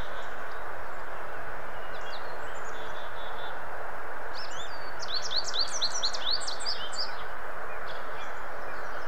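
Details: American goldfinch from southern Ontario giving a short, quick burst of high twitters midway, with faint scattered notes around it, largely hidden in a steady broadband hiss.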